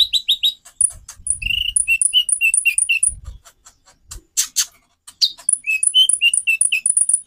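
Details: White-rumped shama song, used to provoke other birds into singing: bright repeated notes that alternate between a lower whistle and a very high piping tone, delivered quickly in two runs with a brief scratchy break and soft thumps between.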